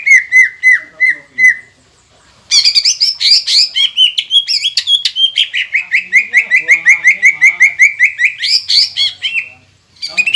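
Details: Vocal caged green leafbird used to provoke rival green leafbirds into singing: repeated slurred whistles, then a long rapid stream of high chirping and chattering notes about three per second, ending abruptly.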